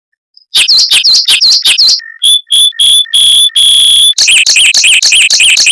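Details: Mockingbird singing fast, tight rolls and long bursts, played to train white-rumped shamas: swooping whistled notes repeated quickly, then steady high pure tones, then rapid looping chirps.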